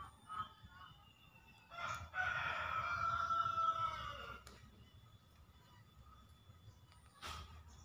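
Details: Green junglefowl of Java, a master lure sound for trapping or stimulating silent birds: amid steady background noise and clicks, a muffled drawn-out harsh crow swells and slowly fades.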